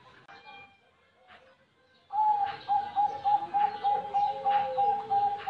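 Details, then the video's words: Zebra dove of the Bangkok type (perkutut bangkok) kept at a bird farm in Buleleng, Bali; after two quiet seconds come rapid, pulsed coos on a steady mid pitch, repeated several times a second. "Perkutut Bangkok"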